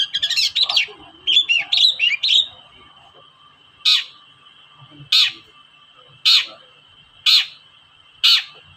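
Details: Long-tailed shrike 'toet-toet' call played to provoke reluctant shrikes into singing: a brief jumble of scratchy chirps, then single harsh notes repeated about once a second, with a steady high-pitched whine behind.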